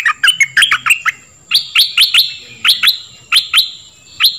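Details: Dok taeng bird singing for training young birds: a quick run of varied chirps, then a series of evenly spaced, bright upslurred notes repeated about every quarter second, over a faint steady high tone.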